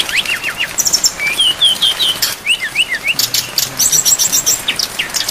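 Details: Rain-backed training recording of brown-chested jungle flycatcher song full of phrases. Short rising whistles and sweet slurred notes tumble in quick sequences, with crisp chirps and a background wash of rain.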